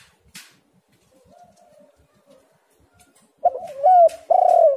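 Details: Spotted dove lure recording to get doves calling. Mostly quiet with a faint soft coo, then a burst of loud, rich cooing notes near the end.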